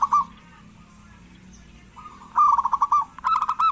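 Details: Local zebra dove in active song, played to stimulate lazy doves to call; after a brief note and a quiet gap, a soft rising lead-in breaks into loud rapid rolling notes, then a second trill.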